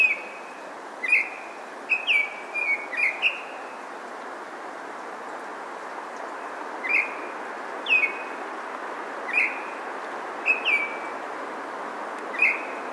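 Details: A Baltimore oriole in a neighbourhood in Maynard, Massachusetts, on May 9, 2023, sings short, rich whistled notes in scattered bursts over a steady background hiss.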